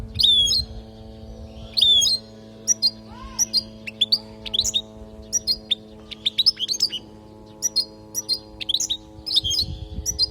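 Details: European goldfinch from Palestine singing a teaching song meant for young goldfinches. Continuous lively twittering of high, tinkling, rapidly varied notes with frequent upward-flicking chirps, over a faint steady low hum.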